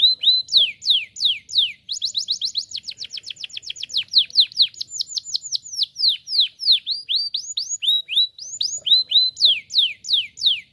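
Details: Canary chirping-practice song: a long, unbroken stream of descending whistled notes that shifts between quick rolls and slower, evenly spaced sweeps. The song is loud and clean.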